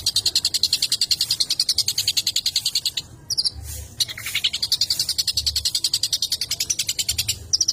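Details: Long-tailed shrike song, played to stir up other shrikes: fast, steady run of sharp high chirps, about three or four a second. There is a brief break near three seconds, then the rapid chatter resumes. Low background hum.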